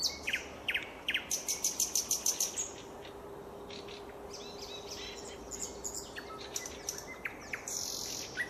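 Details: Redwing song: a fast run of about eight sharp, similar notes repeated in quick succession, then scattered twittering and chirps with other birds calling, over a steady background hiss.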